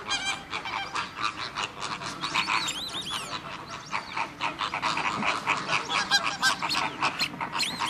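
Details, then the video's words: Radjah shelduck at WWT Slimbridge, giving steady pulsing notes that rise and fall throughout, with a few thin whistled slurs and background chatter from other waterfowl. "Radjah Shelduck"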